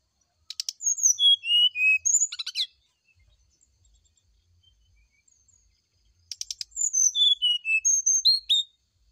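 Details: Morning fluting song of a brown-chested jungle flycatcher, used to draw a reply. Two phrases about six seconds apart, each starting with rasping bursts and followed by a run of pure whistles sliding downward.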